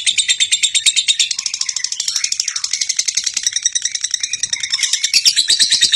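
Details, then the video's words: Champion-type lovebird (lovebird juara) in sustained chirping song, a fast stream of shrill high notes about three per second, with a brief lower rasping twitter midway and a louder burst near the end. "LOVEBIRD JUARA | LOVE BIRD SINGING CHIRPING"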